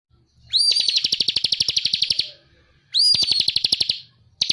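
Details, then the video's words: Bar-winged prinia singing actively in a masteran training recording: two bursts, each opening with a sharp rising whistle, then a fast, even, high chatter of about twenty buzzy repeated notes. The background is clean. "Masteran burung ciblek kristal gacor"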